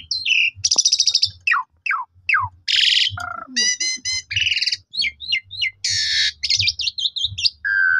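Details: Asian pied starling song played as a morning lure to rouse other starlings into full song. A varied, busy run of sharp whistles, falling slurs, buzzy trills and rattling bursts with short gaps, over a faint low hum.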